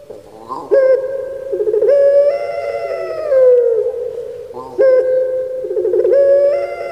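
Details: Pet puter pelung turtle dove, Java, Indonesia: a stuttering lead-in jumps into a long resonant drawn-out coo that falls at its end, then the sequence starts again.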